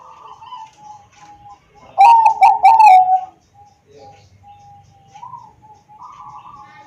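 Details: Song of a Bangkok-type zebra dove, played to coax reluctant doves into singing, recorded with an Android phone in Wiradesa, Pekalongan regency, Central Java: soft low coos, then a loud rapid run of four bell-like notes, then quieter cooing again.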